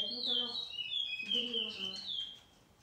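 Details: Chestnut-bellied seed finch (picolet, curio), 2018 poespoesie song: sweet, high whistled phrases gliding down and rising again in a continuous warble, with a low voice murmuring underneath in a small room.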